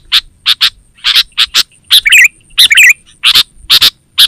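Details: Active sooty-headed bulbul calls used to lure wild birds and train caged birds at home: rapid harsh chip notes, often in pairs, broken by two bubbly, liquid warbled phrases, with a faint steady high whine throughout.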